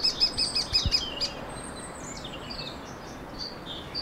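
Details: Lesser spotted woodpecker recorded in the Ariège foothills, France, in April 2023, gives a quick run of about six thin, high, evenly spaced 'kee' notes, then falls quiet while other birds twitter faintly.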